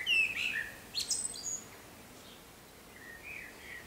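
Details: Common swifts flying around nest boxes, at least one occupied: loud shrill descending screams with harsh high bursts at the start, fading to faint distant screeches.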